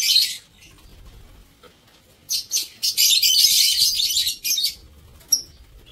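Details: Lovebirds in an aviary on 7 April 2024: a dense, harsh, high chattering burst lasting about two seconds, with shorter scratchy chirps before and after it.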